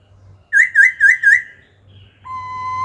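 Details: Wild-caught adult laughingthrush singing a wild-style phrase used to train young birds: four fast wavering whistled notes, followed by a steady flat whistle over a faint low hum.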